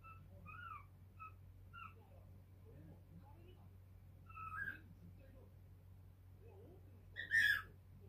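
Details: Pet cockatiel aged five months chattering indoors on a pale blue sand perch: soft, spaced chirps and short whistles, quiet murmuring notes, then a sharp louder squawk near the end, with constant low hum behind.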